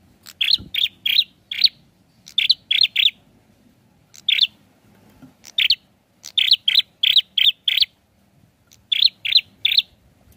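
A prinia repeats sharp, high chipping notes in quick bursts of two to four, with short pauses between phrases. The background is quiet.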